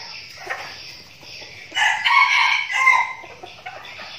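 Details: Decoy red junglefowl in a flock, training before being taken to the forest to meet wild birds. A loud, harsh, layered crow bursts out midway and lasts about a second and a half, with fainter calling before it.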